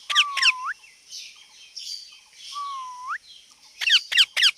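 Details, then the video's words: Ringneck (rose-ringed) parakeet giving harsh, shrill screeches in quick bursts, broken by two long whistled notes that dip and then sweep sharply upward. "parrot talking And Making sounds"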